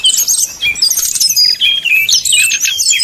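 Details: Brown-chested Jungle Flycatcher in nyuling song meant to stir rival birds. A short burst of packed high whistles, fast slurred phrases and trills, loud and without pause.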